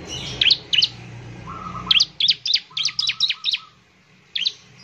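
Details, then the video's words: Bar-winged prinia, sung to prompt others to sing; scattered sharp high chips, then a quick series of about seven, with a soft steady lower tone underneath and a low background hum. "ciblek semi gacor, memancing ciblek semi cepat bunyi"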